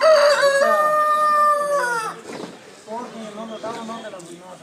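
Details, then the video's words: Rooster crowing loudly: one long harmonic crow held for about two seconds with a slight drop in pitch, then softer, lower clucking notes trailing off. "Roosters crowing free sounds"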